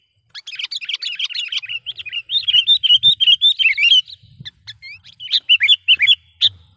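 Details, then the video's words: Lure call of sooty-headed bulbul for trapping: long chattering stream of fast, bubbly chirps, steady and loud through four seconds, a short gap with a couple of thin notes, then more quick chirped phrases. "suara BURUNG KUTILANG PIKAT gacor / pikat kutilang gacor dengan suara panggilan kutilang gacor"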